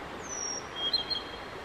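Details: Singing male Blue-and-white flycatcher, recorded May 5, 2022, during a song bout of about fifteen minutes: a long descending high whistle, then thin level whistled notes with brief flicks, faint against background noise.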